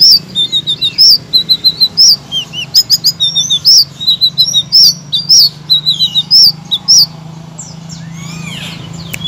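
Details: Blue-crowned laughingthrush chattering song meant to provoke reluctant cage songbirds into loud singing. Shrill, high chirps and short whistled slurs come in clustered phrases about once a second, then fade into soft background hiss near the end.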